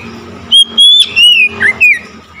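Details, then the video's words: Oriental magpie-robin singing on hearing another magpie-robin, a run of five loud whistles: long level tones, a falling slur, a low dip and a final rising note, over a faint hum. "SEKETIKA MENDENGAR KACER LAIN LANGSUNG IKUT GACOR"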